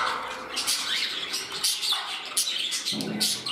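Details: Pet budgerigars settling into a new home, several birds interacting and one turning temperamental. Bursts of harsh squawking and rapid clicky warbling, with short pauses and a louder buzzy outburst near the end.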